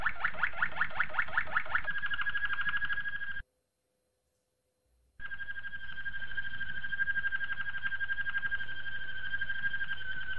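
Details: Malinois Waterslager canary, a training song: a fast pulsed trill shifts into a long, steady water-like rolling tone, breaks off into silence, then starts again with a sustained rolling trill.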